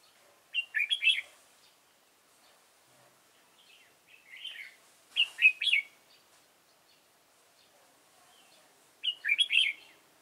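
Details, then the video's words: Red-whiskered bulbul singing during trapping of wild bulbuls. Three separate bursts of cheerful, bubbling warbled whistles, each about half a second long, are spaced several seconds apart, with light rustles between them. "Bẫy chào mào"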